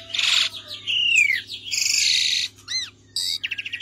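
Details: Tutor recording of Javan pied starling song: harsh buzzy bursts alternating with a falling whistle and quick ticking trills, with a steady background hum.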